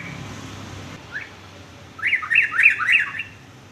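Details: Sooty-headed bulbul, sung for young males to learn varied songs: a soft lead-in note, then a rapid series of five rising-and-falling whistles.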